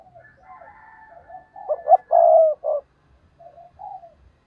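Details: Spotted dove used as a decoy to draw in wild rivals, native-voice style from Vietnam: soft low lead-in, then a loud cluster of cooing notes and a long coo, followed by two faint coos.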